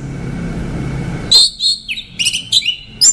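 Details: Orange-headed thrush singing: after a quiet, hissy start, a burst of varied high whistled phrases with sharp sliding notes, some dropping and some rising, delivered in quick clusters.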